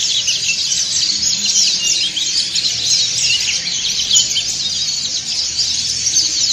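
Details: Many white-eyes of the dakun and montanus kinds performing ngriwik song together, used as audio therapy to make birds open their beaks and sing; bright, high, rapid chattering phrases crowd over one another without a break.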